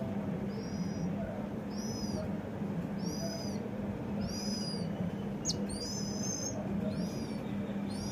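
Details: House sparrow at a home: high, thin chirps repeated roughly once a second, each a short downward-curving note, over a loud, steady background rumble.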